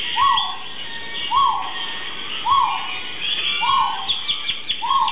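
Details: A crested guan (Penelope purpurascens) at a wildlife site in Mexico City gives five short, arched yelping notes about a second apart, over a busy chorus of other birds and insects.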